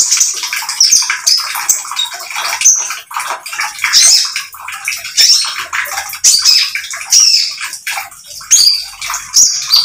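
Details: Lively spotted oriental magpie-robin singing as a lure so other birds follow its sound. Dense, high, rapid twittering with sharp whistled accents runs throughout, blurred by steady hiss.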